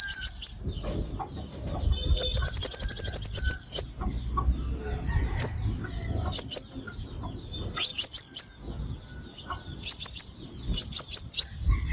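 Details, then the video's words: Lure call of the crimson sunbird for bird trapping. A dense buzzy trill of high notes is followed by scattered short bursts of two to four sharp, thin chips. "Tiếng Hút Mật Xác Pháo Mồi Chuẩn Không Tạp Âm"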